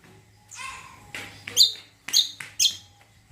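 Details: Cucak kombo, the greater green leafbird, singing as a lure to get other birds to answer: a clear whistled note sweeping downward, then a short burst and three sharp, very high chirps at uneven intervals.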